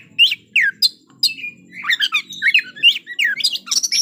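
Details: White-rumped shama song played to provoke rival birds into fighting: loud, varied whistled phrases with sharp upward and downward sweeps and rapid chattering notes, delivered in quick bursts with short pauses, faint low hum behind.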